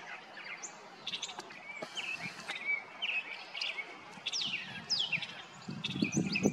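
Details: A brown thrasher's Mother's Day serenade, recorded 8 May 2022: a rich, varied string of quick whistled and chirpy phrases, some sweeping down, over a low outdoor rumble.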